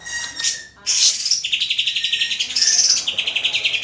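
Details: Greater green leafbird song used as a lure to make a bird sing: a short note, a pause, then a strident, fast, pulsing high chatter that continues steadily to the end.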